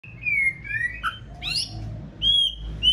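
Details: Female white-rumped shama in breeding season, singing to stimulate the male: clear drawn-out whistles and slurred notes with short breaks, over a low background hum.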